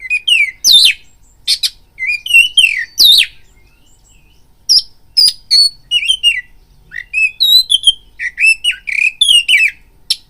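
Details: Oriental magpie-robin song played as a lure to provoke fighting: a long, varied stream of whistles, buzzy swept notes and sharp chips delivered in rapid bursts with short pauses between phrases.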